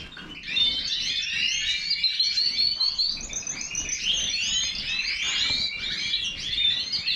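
A European goldfinch sings a fast, unbroken stream of bright, tinkling twitters and buzzy trills, high-pitched and liquid, running for several seconds without pause.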